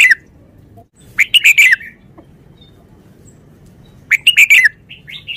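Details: Caged red-whiskered bulbul singing a short song in the Thai 'sap' style: two brisk bursts of bright, rapid chirping notes near the start and end, each under a second, separated by quiet, over a faint low background hum.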